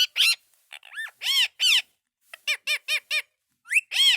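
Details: Indian ringneck parakeet talking indoors: a series of short, harmonic, speech-like syllables with rising and falling arches, a burst of four quick even notes in the middle, and clear silence between phrases.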